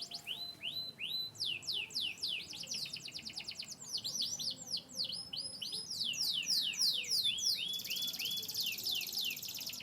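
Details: Singing canary, a Yorkshire descendant from Turkey and the US, delivering rapid runs of downswept whistled notes and fast rattling trills, ending in a sustained high buzzy roll.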